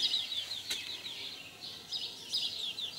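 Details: House sparrows during mating in 2020, giving a fast run of high, sharp chirps that overlap into a steady chatter, with a brief flutter-like burst near the start.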